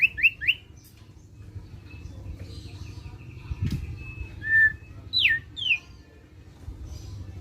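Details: Ngeriwik chatter of a thick-billed white-eye, a song for stirring other birds to sing: opening burst of three fast upslurred chirps, a faint rattling run, a short whistle, then two sharp descending squeaks. Background hum is steady.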